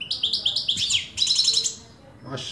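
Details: Afghan saira goldfinch singing a quick run of bright, rising chirps, then a buzzy, trilled phrase, ending in a brief rasping note.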